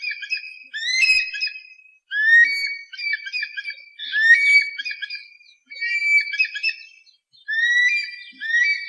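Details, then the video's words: Eagle cries used as a pest deterrent, a series of shrill whistled phrases that rise sharply and then chatter in quick broken notes, repeated about every one and a half seconds against a silent background. "suara burung elang pengusir hama"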